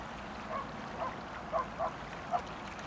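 Chilean flamingos give five short, nasal, goose-like honks, irregularly spaced over three seconds, over a steady background hiss.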